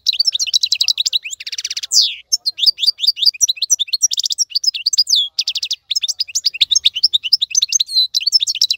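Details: European goldfinch singing a tutor song for teaching young birds: a dense, unbroken stream of high twittering notes, liquid trills and quick buzzy rattles, with a short nasal buzz near two seconds, and no other sounds.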